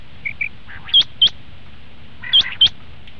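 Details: Common quail calling, recorded for use as a hunting lure: two soft chirps followed by two pairs of sharp, high, clipped notes with a pause between the pairs.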